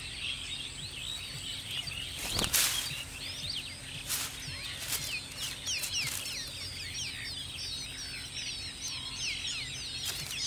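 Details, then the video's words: Striated babbler at a nest with eggs and chicks: many high, squeaky downslurred chirps overlap in a busy chatter, broken by a few sharp clicks and a steady high hiss in the background. "Striated Babbler, Eggs & chicks || Moms Love"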